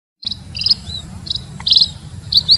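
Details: Munia (emprit) lure call used to attract the birds: a few short, thin, high chirps, irregularly spaced, some paired, over a steady low background rumble.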